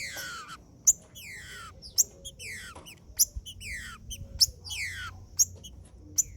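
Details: Green-winged saltator used to heat up male birds: repeated falling whistled phrases, each a bright slur gliding downward, coming roughly every second, punctuated by crisp clicks and a steady low hum.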